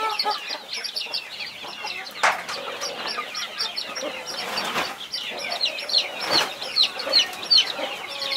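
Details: Mother hen protecting her 21 baby chicks; a dense chorus of high, thin, downslurred chick peeps repeats rapidly, with a few lower hen clucks and brief rustling bursts.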